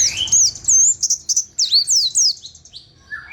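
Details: A white-eye sings a short ngalas ngerol phrase: clear high slurred whistles and quick twitters in a rapid rolling run, then a lower note near the end.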